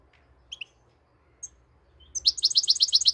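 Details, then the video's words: European goldfinch, called the Moroccan goldfinch: a few soft high notes, then a rapid, bright repeated trill of sharp chips, about four per second and sometimes faster, beginning two seconds in. A faint low hum runs underneath. "صوت الحسون المغربي"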